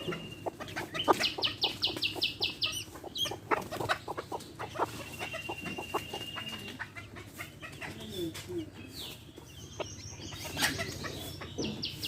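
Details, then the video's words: A hen with baby chicks makes a busy farmyard mix. Rapid trains of high chirps stand over many short, dry clucking pulses, with a steady whine in places. "Hen sounds | chicks sounds | relaxation sounds | hen videos | baby chicks chirping sounds"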